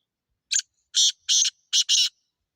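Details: Wild grey francolin calling in a natural setting: five loud, harsh, grating notes, a short first note then paired bursts, within about two seconds against silence.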